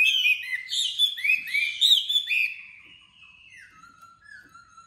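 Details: Chinese hwamei, a tame caged bird with a sharp voice, kept in Hanoi: two and a half seconds of loud, fast, varied whistled phrases, trailing off into soft, thin, drawn-out whistles.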